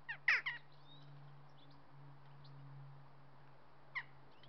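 Jackdaws give short, sharp 'chak' calls, a quick cluster at the start and one more near the end, over a steady low hum.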